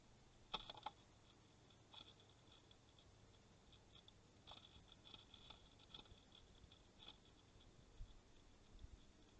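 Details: A female grey-headed woodpecker attacks an osprey nest camera in the Napiwodzko-Ramucka Forest on 3 August 2020, knocking in sharp, irregular single taps a second or more apart, with a few close pairs, over a soft steady hiss.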